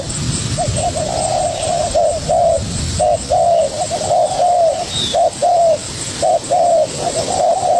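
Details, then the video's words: Young spotted dove fighting back at a decoy bird with repeated mellow coos, brief clipped notes paired with longer wavering ones, roughly once a second, steady background hiss. "Chim cu gáy #birds # bổi tơ đấu cực sung với mồi"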